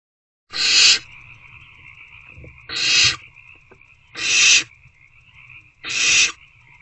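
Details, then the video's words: Hungry owlets in a nest box on 26 February 2024 at 8:13 pm beg while trying to eat a rodent: four harsh, breathy hissing bursts, each about half a second, over a steady high electrical-like hum. "Hungry Owlets Try Again to Eat The Rodent."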